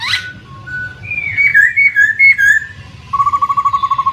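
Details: Laughingthrush lure song to get a silent bird calling: a sharp opening note, a chain of clear slurred whistles, then a rapid steady trill on one pitch.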